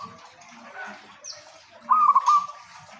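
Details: Local zebra dove song meant to coax other zebra doves into singing; a single brief, broken cooing phrase near the end follows a stretch of faint hiss and quiet background noises.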